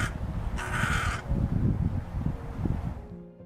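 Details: Hooded crow gives a single harsh, rasping caw lasting about half a second over a low, steady rumble of background music; one of its most common calls, not known to differ from carrion crow calls.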